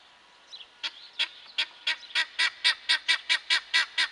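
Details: Male guineafowl starting with a few sparse rasping notes, then settling into a rapid, regular chain of harsh, buzzy squawks about three per second.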